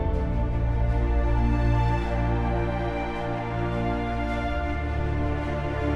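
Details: Soft, slow background music with sustained tones plays throughout, and no birds or insects can be heard.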